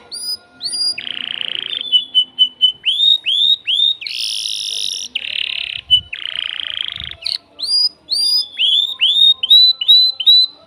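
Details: Male canary, caged and worked up, singing to a female before mating: varied phrases mixing upswept whistles, dense buzzy rolls and repeated rising notes, sung almost without pause.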